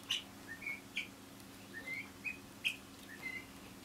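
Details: Two pet helmeted guineafowl perched on the back of a chair indoors give soft, short chirping contact notes at an uneven pace against a low indoor hum.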